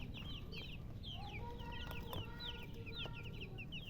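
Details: Domestic chicks chirping: quick high peeps, mostly falling in pitch and repeated several times a second, with a few lower steady tones and a faint low hum behind them.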